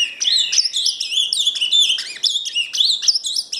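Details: Fast, jumbled warbling of an ultramarine grosbeak from Paraná, with bright slurred whistles tumbling over one another without pause.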